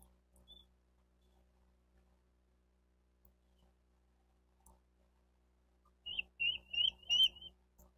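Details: Bald eagles nesting in Miami-Dade County, Florida, recorded 28 May 2023 at 11:34: near silence with one faint whistle, then a quick run of four or five high, wavering piping notes near the end.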